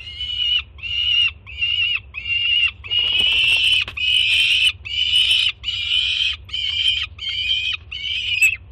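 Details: Juvenile peregrine falcon on a Jersey City nest cam, 24 June 2017, screaming excitedly as its mother arrives with breakfast: harsh, loud, harmonic wails repeated roughly every 0.7 seconds, about twelve in a row, steady low hum beneath.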